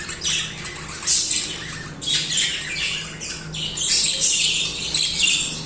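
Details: Budgerigars in continuous song, several birds overlapping in bright, scratchy twittering with sharp squeaky accents every second or so, steady chatter throughout.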